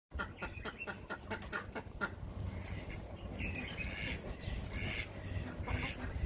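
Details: Ducks giving a run of short, harsh, nasal quacks in quick succession during the first two seconds, then scattered softer calls over a steady low rumble of background noise.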